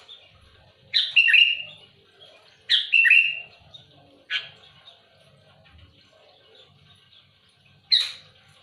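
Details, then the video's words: Sooty-headed bulbul singing aggressively at rivals. Short harsh, rasping phrases come every one to two seconds, then a pause before a single sharp note. Faint low rumbling noise underneath. "Suara burung kutilang gacor keras aktif menekan lawan muntahin isian besetan kasar keras pedas"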